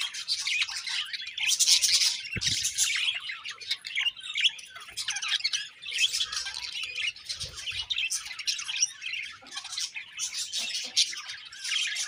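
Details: Chirping budgies in a group, bursts of high twittering and raspy warbled chatter rising and falling in loudness, with two brief low knocks.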